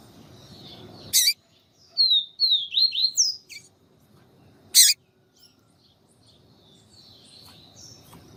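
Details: Papa-capim answered by a calling female meant to excite him: a quick burst of several high whistled slurs rising and falling, framed by two loud sharp broadband clicks.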